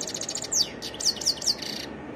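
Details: A short, lively European goldfinch phrase made of quick, bright, downslurred chirps repeated rapidly, then ending abruptly, with a steady hum underneath.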